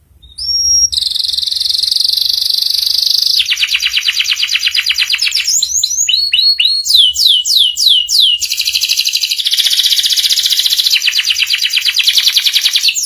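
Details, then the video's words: Tutor song for young canaries learning ngeriwik sounds: a short whistle, a long high buzzy trill, a rapid chattering roll, a run of loud descending swept notes, then more extended trilling. "PANCINGAN SUARA KENARI PAUD CEPAT BELAJAR BUNYI NGERIWIK || MASTERAN KENARI PAUD"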